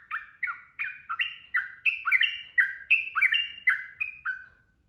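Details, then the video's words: Sooty-headed bulbul delivering fast ropel song for training kept birds: a long chain of bright, falling two-part notes, about three per second, rising and falling slightly in pitch before stopping. "SUARA TRUCUKAN ROPEL GACOR"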